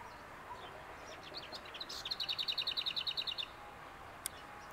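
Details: Lesser whitethroat (Sylvia curruca): a few soft, scratchy warbled notes, then a dry, fast rattle of about a dozen identical high notes on one pitch, lasting just over a second.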